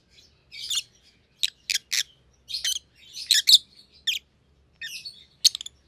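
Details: Rosy-faced Lovebirds, pet white-headed pallid and green opaline siblings, chirp in short shrill bursts and buzzy squeaks, clustered notes with brief pauses between groups, no other sounds.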